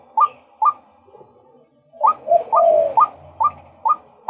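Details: A male white-breasted waterhen calls twice, pauses, then continues with a run of sharp inflected notes interrupted by a longer lower descending note, with a faint low hum beneath.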